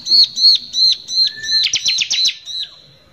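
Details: Bar-winged prinia in rough 'nembak kasar' lure song meant to excite other prinias: evenly spaced arching whistled notes, a rising slur, then a quick cluster of sharp high chips.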